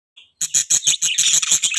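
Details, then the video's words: Budgerigar giving one brief high note, then a fast run of about nine harsh, scratchy chirps packed into under a second and a half, loud and evenly paced. "budgie chirping sounds"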